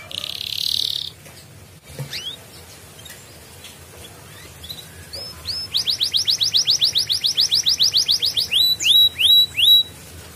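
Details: Lure song of a gacor canary in ngedurr style, played to restart lazy birds: a brief buzzy burst, scattered soft chips and sweeps, then a long loud trill of quick downslurred notes ending in a few slower whistled notes.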